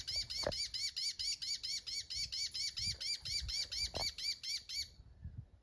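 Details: Mockingbird song phrase of rapid arched chirps repeated steadily, roughly four each second, for five seconds before stopping abruptly into quiet.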